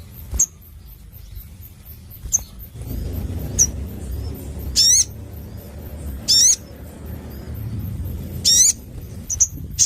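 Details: Crimson sunbird in full loud song: very high, sharp buzzy bursts spaced about two seconds apart, with thin whistled notes between them over a low background hum.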